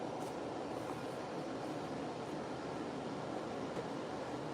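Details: Indoors, a steady hum like air conditioning or distant traffic runs throughout, with a couple of faint ticks and no calls.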